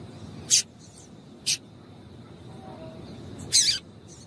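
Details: Female double-collared seedeater calling to excite a male: three short, high, sharp chip notes spaced irregularly, the last one longer and harsher, over a steady low background hiss.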